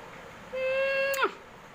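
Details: Pet Indian ringneck parrot whistling: a single steady, pure whistled note held for about seven tenths of a second, ending in a quick sharp downward slide, over a light background hiss.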